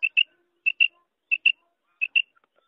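A female common quail gives short, high double notes, four quick pairs spaced about two-thirds of a second apart, against a quiet background.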